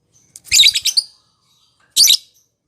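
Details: Lovebird chirping, used as a prompt for a lovebird that rarely sings: a dense burst of high, rapid chattering notes, then a shorter second burst after a pause, in otherwise quiet surroundings.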